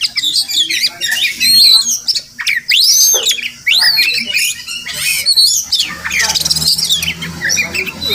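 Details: Morning song of a wild Murai Kampung, the Oriental magpie-robin, near a village home: loud whistles, swooping slurs and chatter in irregular phrases, with a low hum toward the end.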